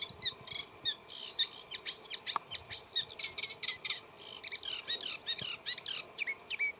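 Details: A Eurasian reed warbler sings from a reed bed: fairly slow, scratchy, unmelodious chatter with mimicry of local birds' songs and calls; dense run of short high harsh notes in quick bursts, hardly pausing.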